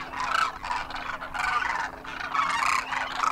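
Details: Demoiselle Cranes in a winter flock in Rajasthan, India, calling as they fly; rolling, throaty trumpet calls in pulsing bursts, several with clear tonal notes, overlapping from many birds.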